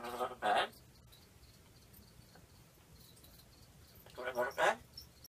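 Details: Pet African grey parrot wanting to go to bed, asking "Wanna go to bed?"; two short voiced utterances, one at the start and one near the end, with near silence between.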